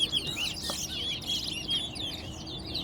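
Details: Competition bird, a large-billed seed finch (towa towa), at Guyana National Stadium: jumbled twittering and clear whistled notes in a fast stream, with a person counting and a murmuring crowd in the background.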